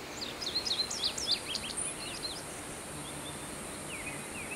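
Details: Indigo bunting song: a burst of high, thin, slurred notes in the first two seconds, then a few fainter downslurred notes over steady background noise.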